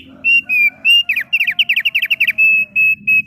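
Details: Thick-billed heleia in full song: a few drawn-out bright whistles, then a rapid stuttering string of short whistled notes, ending with a level series of longer clear whistles; faint low hum behind.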